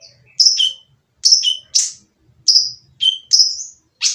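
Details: Rough-voiced oriental magpie-robin song aimed at stirring other birds to sing: paired high-then-low whistled notes alternating with harsh falling rasps, about one phrase each second, faint low rumbles behind.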